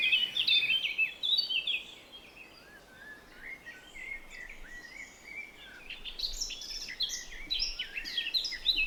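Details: Birdsong meant for relaxing and sleep: rapid, bright chirps and short rising and falling whistled notes, quieter mid-clip, then a dense, louder burst of sharp, overlapping tweets near the end.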